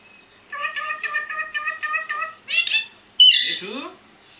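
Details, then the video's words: Kashmiri parrots talking while eating: a run of rhythmic, nasal, speech-like syllables, a brief raspy burst, then one loud, harsh squawk that slides downward. "Kashmire Raw Perrots Talking and eating"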